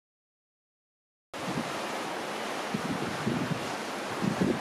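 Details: Steady surf and wind rumble begin after about a second of silence, with no animal calls heard.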